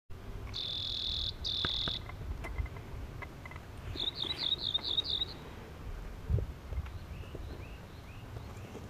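Rock Wren giving a quick run of about six bright, high repeated notes, with fainter notes after, an earlier steady high buzz, and low wind rumble.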